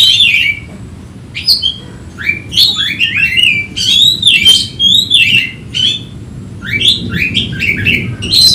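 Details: Agitated Oriental magpie-robin searching for a rival, giving bursts of clear whistles and scratchy slurred notes in short phrases separated by brief pauses.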